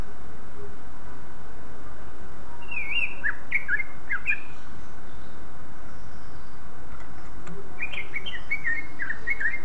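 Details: Song of a greater green leafbird, used to coax other leafbirds to sing: two bursts of rapid twittering, slurred whistles separated by several seconds of quiet, against constant low rumbling noise.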